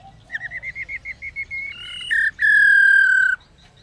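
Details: Female laughingthrush calling to spur males to sing: a rapid run of short, clear, rising chirps speeds into a brief buzz and then one long, hoarse, slightly falling note.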